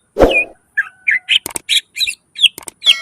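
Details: Greater green leafbird in full song with mimicked fill phrases, meant to lure and tutor lazy singers: a low thump, then a series of short sharp whistled and buzzy notes spaced by brief pauses, some clicking bursts.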